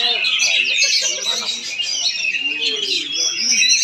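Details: Oriental magpie-robin singing in Palangkaraya, Central Kalimantan: a busy run of sharp, high whistles and twittering trills pours out without a break, while low human speech is heard underneath.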